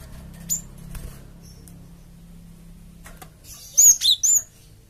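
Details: Java sparrow lure calls for provoking flocks to answer: after a quiet, slightly humming stretch, three crisp high whistled notes come in a quick burst near the end.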